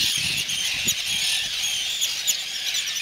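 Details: Arctic tern returning to its young chicks to brood them, calling while protecting them; dense, continuous high-pitched squealing and chattering from many birds fills the air, with short sharper notes rising above the steady chorus.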